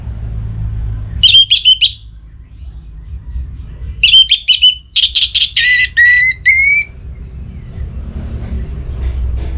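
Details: Captive orange-headed thrush in breeding mood, singing toward a rival: short clusters of sharp whistles, then a longer run of fast buzzy notes and clear rising whistles, over a low steady rumble.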